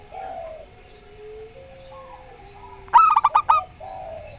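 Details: A local zebra dove in the Rondo Semoyo style gives one quick, stuttering run of half a dozen bright coo notes, preceded and followed by softer, smoother murmuring sounds.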